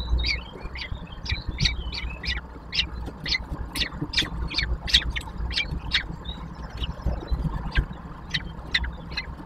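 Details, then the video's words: Three common kestrel chicks being fed at a nest in Łódź, Poland, 19 May 2024, give rapid, thin, high squealing begging calls, several bursts a second, over a steady low background rumble. "Karmienie trojaczków, Pustułka (Falco tinnunculus)"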